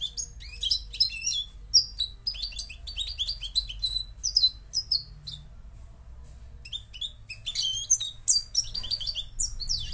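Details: Moroccan goldfinch twittering in high, rapid phrases, falling quiet for a few seconds midway before resuming with dense chirps and buzzy trills.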